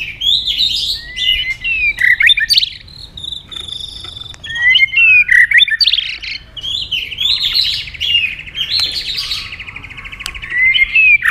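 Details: White-rumped shama singing competitively with tail flicks: varied phrases of bright whistles and sharp chirps, a sustained buzzy trill midway, and a final rising whistle, delivered in bursts with short pauses.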